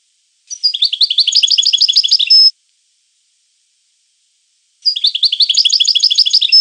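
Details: European goldfinch giving two similar twittering phrases of about two seconds each, separated by a short silence. Each is a rapid string of high chirps, the first ending in a thin sustained whistle.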